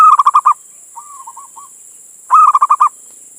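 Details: Male local zebra dove calling a female: two loud runs of quick, stuttering coos with a soft, short cooing phrase between them.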